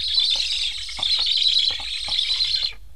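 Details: Black stork nestlings in Estonia beg hungrily while stressed parents wearing new transmitters leave without feeding; a dense, high, wheezy chatter runs throughout, stops abruptly near the end, with faint lower knocks beneath.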